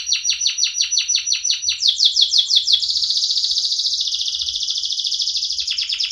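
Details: Caged canary delivering a loud song: evenly repeated sweeping notes, a brief higher run, then a dense rolling buzzy trill held for several seconds.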